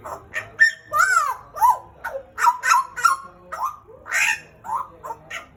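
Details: Pied butcherbird kept as a caged pet from Papua, Indonesia, giving a varied, busier passage. Arched whistles and slurred notes mix with rougher, harsher syllables over faint background noise.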